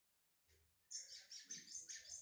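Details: Brown-plumaged lined seedeater from Pernambuco, Brazil, beginning its song: a brief soft note, then a loud burst of high, buzzy, rapidly trilled twitters pulsing several times per second.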